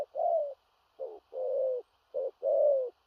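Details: Powerful 'thổ rặc' cooing from a big-bodied spotted dove, far-carrying with a stammering coo: uneven phrases of a short note and a long level-to-falling coo, about three pairs, otherwise quiet.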